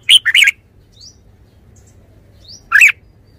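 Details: Red-whiskered bulbul singing a quick triple-note warbled phrase, then after a two-second pause a single rolling chirp, with faint higher twitters between.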